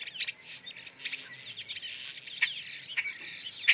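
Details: A European starling filmed from about 26 feet on a very overcast, grey day chatters in a dense run of high, scratchy whistles, clicks and rattling notes, with a few sharper squeaks near the end.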